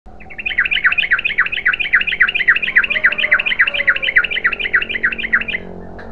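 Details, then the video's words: Yellow-vented bulbul (trucukan) in long, rapid ropel-style chatter: dense run of bubbly, dipping two-part notes at a fast, steady pace of about three to four per second, continuous for over five seconds against a quiet background. "BURUNG TRUCUKAN GACOR ROPEL PANJANG"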